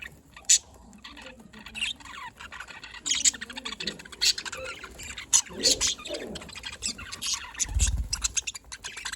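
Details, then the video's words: In the afternoon in Larkana, Sindh, several budgerigars keep up broken chatter of harsh squawks, clicks and thin chirps, coming in uneven bursts with a dull knock near the end. "budgie bird and beauty || nice afternoon bird"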